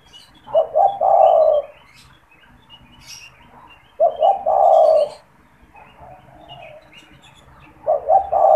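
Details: A cooing spotted dove, kept in a cage and used as a caller to lure and stimulate other doves, repeats its phrase about every three and a half seconds: two clipped notes and then one long mellow coo, with quiet gaps between.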